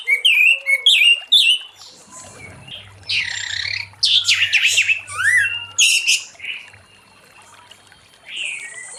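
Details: Orange-headed thrush singing in the late afternoon to encourage other thrushes to sing; quick descending whistles at first, then harsh scratchy squawk-like bursts and scattered sharp notes, with a low hum in the background.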